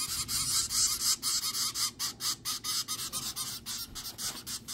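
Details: Hand-fed zebra finch nestlings in a small cardboard brooder with a hand warmer, begging for food with rapid harsh, hissy pulses about twice a second that fade slightly toward the end.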